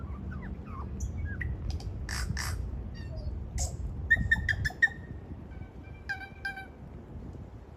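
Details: Tui in Devonport, Auckland, New Zealand, recorded on an iPhone 11: a varied run of sharp clicks, short broadband bursts, gliding whistles and clear ringing notes, ending in a few steady tones, over a low rumbling background.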